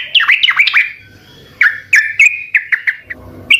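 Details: Gacor song of a Sooty-headed bulbul, used to get other birds to answer: a quick cluster of looping chirps, a pause, then single bright notes spaced irregularly, with a soft background hum.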